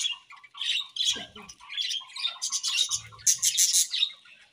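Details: Budgerigars sounding happy: scratchy squawks and warbled chirps in short bursts, with a few low throaty notes mixed into the high chatter.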